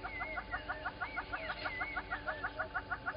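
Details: Gowrie dam waterhole, Djuma Game Reserve, South Africa, on 10/08/20: little grebes keep up a fast, regular pulsed trill, with upward-sweeping whistles from other birds laid over it.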